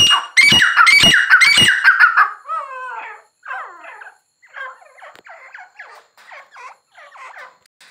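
A grey francolin gives three loud, harsh, ringing notes, then a run of softer, quick, wavering phrases repeated about twice a second.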